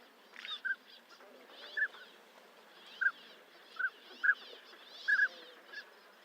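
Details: Northern pintail: brief whistled notes spaced about a second apart, a few doubled, over a steady murmur of many other birds.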